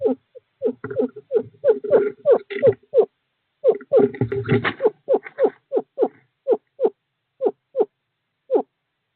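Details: Courting male screech owl at an owl box on 2/11/2023, calling to a female: quick falling notes, mixed midway with rustling, broadband noise, then spacing out into separate hoots.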